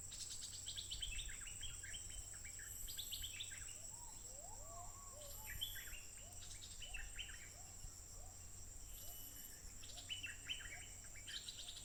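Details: Stripe-throated bulbul in the wild, called fierce and calling without pause, smartphone recording dated 15 June 2021: bursts of quick, chattering warbled phrases separated by pauses, with softer lower whistled notes and a constant shrill insect hum behind.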